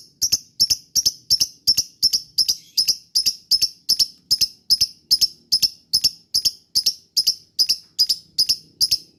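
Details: Lovebird lure call to provoke other lovebirds to respond: a steady series of sharp, high, double chirps repeated roughly every half second throughout.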